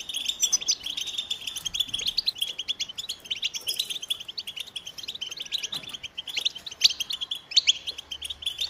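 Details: Goldfinch singing a lively, liquid twitter of quick high chirps and trills, broken by short buzzy bursts and a few sharper rising notes, carrying on steadily with only brief dips in loudness.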